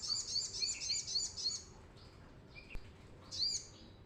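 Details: Brown-throated sunbird singing vigorously as a lure for raw birds: about seven quick, high, repeated twittering notes in a row, a quiet gap with faint chirps, then a short renewed flourish.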